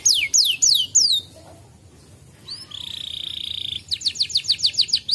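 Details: Canary song used as a lure to coax a reluctant canary into singing: bright descending whistled sweeps, a pause, then a long buzzy even trill followed by a fast run of rapid rising-falling notes.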